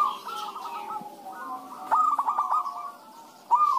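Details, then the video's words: Zebra doves (perkutut) singing back and forth as a lure for other doves; a faint trill fades out, then a louder phrase of quick stuttered notes rolls into a soft coo, and another phrase begins at the end. "pancingan suara perkutut rame"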